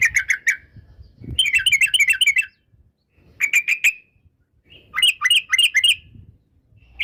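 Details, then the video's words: Fast bursts of bright, rolling chirps from a yellow-vented bulbul, whose song is said to stir up rival birds. The bursts are separated by short pauses, with a brief low thump near the start. "Suara Trucukan bikin emosi lawan"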